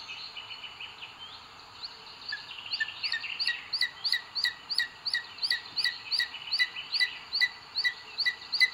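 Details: Nest of a booted eagle in Sierra de Guadarrama Natural Park, Spain, 2 June 2022, with the male bringing food to the female; live webcam. Softer mixed notes at first, then a loud, fast run of shrill repeated calls, about three per second.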